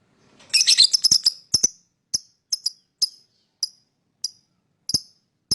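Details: Lovebird chirping to lure other birds: a quick, dense cluster of shrill chirps, then single high chirps repeated roughly every half second, each short and clipped.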